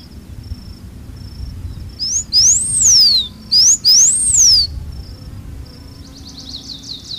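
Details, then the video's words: Blue finch (Porphyrospiza caerulescens), a Cerrado species of open grassy scrub, sings two high, thin whistled phrases, each sweeping up then sliding down, followed by a short burst of rapid high chips. "O Canto do CAMPAINHA AZUL (Porphyrospiza Caerulescens) Bird Song - Blue Finch"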